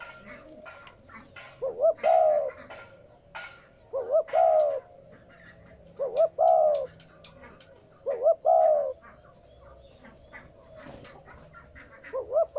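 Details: Spotted dove coo used to stimulate captive doves to coo: short wavering coo phrases repeated about every two seconds, each a few rising and falling notes, with faint chirping from other birds between them.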